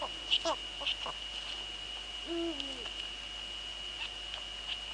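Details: Female Eurasian eagle-owl at her nest in the Netherlands, male nearby, evening of 2 February 2013 at 19:15. A single low, slightly falling harmonic call is clear just past two seconds. It is preceded by sharp clicks, over a continuous high whine.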